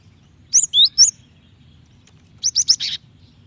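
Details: Female cinereous tit calling to the male, a call used to draw males into song: two bursts of high, sharp chirps, first three slurred whistled notes, then a quick run of four bright notes, against a faint low hum.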